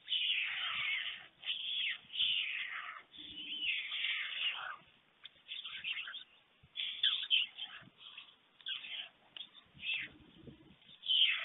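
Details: White stork nest webcam in Fohrde, Germany, 21 July 2019 at 1:45 p.m., as an adult male brings a late lunch to two storklets: harsh hissing bursts, each about half a second, repeated irregularly with short gaps.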